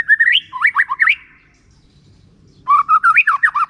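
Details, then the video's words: White-rumped shama song used as a lure to prompt reluctant shamas to sing: loud, rich whistled phrases with rising and falling slurred notes, a short burst, then a pause of over a second before another fast run of notes. "Murai Batu Pasti nyaut, Pancingan Murai Malas Bunyi Ngeplong || white rumped shama"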